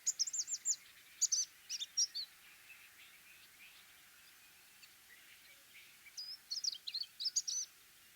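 Orange-breasted sunbird giving high, thin twittering and buzzy notes in two quick bursts, with a quiet gap between them.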